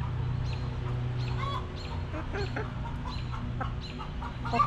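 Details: Coop chickens in a back yard, hens clucking calmly: sharp, short clucks spaced about every half second, one or two slightly drawn out, with a low continuous hum.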